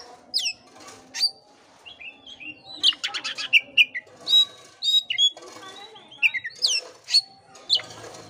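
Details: Oriental magpie-robin singing a lively medley of clear rising whistles, scratchy rapid rattles and downslurred notes, played to encourage a listless bird to sing; steady faint background hum.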